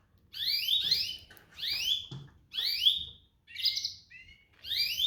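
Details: Domestic canary repeating rising whistled sweeps about once a second, five calls in all, one of them a buzzy, broken trill with a lower flat note.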